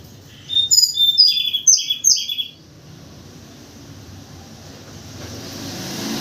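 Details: Actively calling white-crowned forktail used as a morning lure: a short burst of high, thin, clipped notes in quick succession for about two seconds, followed by quiet with a low rushing background.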